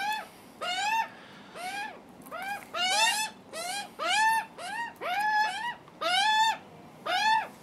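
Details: Juvenile Australian magpies, hungry and screaming for food on a first visit, give a steady run of harsh, rasping, down-curving squawks, about one per second, loud and strongly harmonic.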